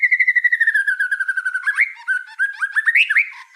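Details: Energetic white-rumped shama song, called 'gacor': a quick string of about twenty clear repeated whistled notes drifting lower, then a burst of varied slurred and rising phrases; background silent.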